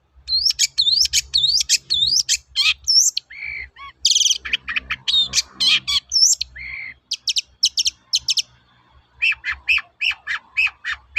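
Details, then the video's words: Long-tailed shrike lure song for training birds, 'toet-toet' style: rising whistled slurs repeated quickly, then varied squeaky, harsh and chattering phrases, ending in a run of short, clipped high notes. "BURUNG CENDET GACOR TOET-TOET, PANCINGAN AMPUH SAAT INI"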